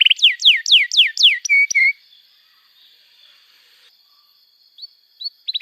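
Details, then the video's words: Singing canary, played as a training lure for young birds learning to sing: five loud, steeply falling whistled notes and two short flat tones, then near silence broken by soft chirps. "Kenari Gacor Panjang Cuit Cuit Emosi, Pancingan Kenari Paud Belajar Bunyi, terapi ampuh kenari macet"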